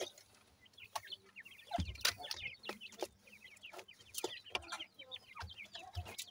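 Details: Grey francolin chicks feeding, with many overlapping short high chirps and peeps rising and falling, some clicks and low rumble underneath.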